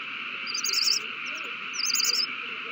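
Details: Owls at their nest, 3-21-20, excited after one brings a mouse to its mate: two quick bursts of high, rapid twittering chatter, with a few faint chips between, over steady hum.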